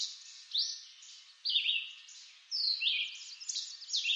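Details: Red-eyed vireo singing in woods of eastern North America: short slurred whistled phrases, each rising or falling, given roughly once a second with brief pauses, over a steady hiss of background noise.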